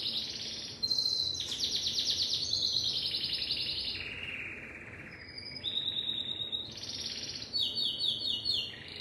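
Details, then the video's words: Timbrado canary in an unbroken stream of rolling, metallic trills stepping down and up in pitch, with short bursts of falling chirps at the end. "اسطوانة تغريد كناري التمبرادو"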